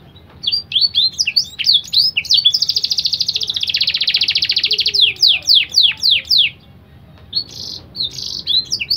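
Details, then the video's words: Crossbred canary, BBSF x Berner, in full song with phrases learned from black-throat song, kept as a tutor for young birds: whistled downward sweeps, a long buzzy rapid trill, then more sweeping notes and short high bursts. "kenari gacor isian blacktroath"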